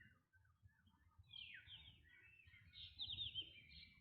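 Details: Black drongo calling: a harsh, downward-sweeping note near the middle, then a quick cluster of sharp, metallic chirps and thin whistles toward the end, over a faint low rumble.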